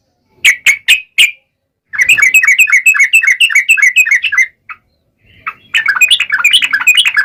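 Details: Yellow-vented bulbul in sharp ngalas-style song, played to make other bulbuls answer at once. Four clipped notes open it, then a long rush of quick chattering phrases, a short break and more bubbly chatter.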